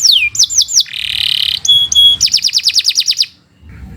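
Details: Master-training canary song, varied and continuous: a few falling whistles, a buzzy rolled trill, two bright sustained pure tones, then a fast series of descending whistled notes ending abruptly.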